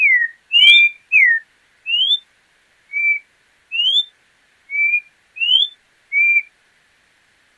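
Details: Orange-backed troupial whistling a steady series of pure notes, with falling slurs, rising slurs and flat tones repeated roughly every half second to second. No other sound sources.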